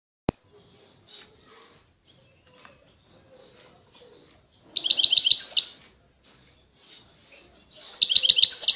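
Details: European goldfinch singing in 2020: mostly quiet with faint high notes, then two loud, buzzy, rapidly trilled bursts at the end.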